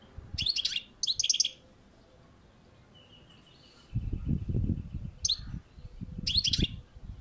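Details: European goldfinch singing on a balcony in short, high, twittering phrases separated by pauses, with a faint thin tone and low rumbling noise between phrases.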